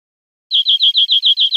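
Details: European greenfinch singing on an educational recording of wild birdsong for cage birds: a short, evenly spaced series of eight high, slightly buzzy repeated notes.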